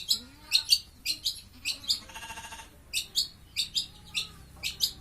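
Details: Caged long-tailed shrike (cendet) singing hard while being sunned, recorded about a month before 30 October 2020: bright high chirping notes in quick pairs and clusters, with a brief buzzy rattling burst midway.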